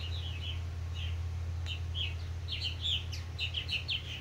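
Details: Purple martin adults encouraging fledglings with scattered gurgling chirps that quicken into a dense chattering run in the second half, a low continuous hum in the background.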